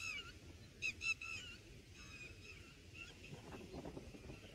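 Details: Red bulbul at a nest on the first day of watching, with chicks fed berries and a moth. Clear nasal, harmonic calls slide downward, a quick double burst then softer drawn-out notes, over a low rustling background.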